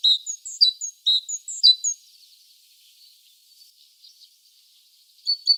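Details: A great tit, which stays through winter rather than migrating and loves to sing in winter, sings bright, high two-note phrases, repeated quickly for about two seconds, then falls quiet before starting again.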